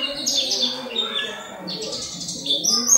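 Oriental white-eye singing a high, rapid twittering warble of thin chirps and trills, with a faint low murmur behind it.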